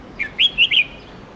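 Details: Red-whiskered bulbul song meant to teach young birds: a brief phrase of one short note then three loud, clear whistled syllables in quick succession.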